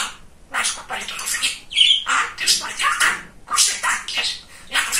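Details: Talkative pet male budgerigar chattering indoors in fast, scratchy, speech-like phrases, bursts of broadband warbling broken by a sharp high squeak and short gaps.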